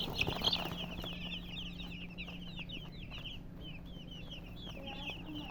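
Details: Colored chickens with a hen give quick, high, slurred chirps in an almost continuous stream, nearly four a second, a louder clatter at the start and a low hum in the background.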